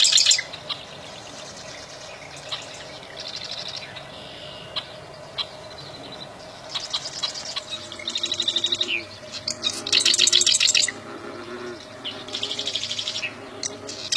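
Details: Bar-winged prinia in the wild giving repeated phrases of fast, buzzy, high chirps, each lasting about a second with pauses between, over steady background hum and occasional clicks.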